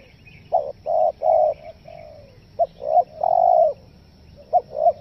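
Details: Spotted dove coo used as a lure for wild forest doves, 'nekan nguku selang gagap' style; stuttered short low notes running into long steady coos, about three phrases with brief gaps.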